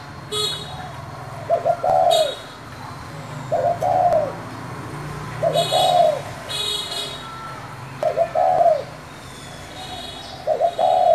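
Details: Spotted dove's 'thổ' voice calling to provoke newly caught doves: five low, husky coo phrases roughly every two seconds, with short bursts of sharp, higher-pitched noise in between.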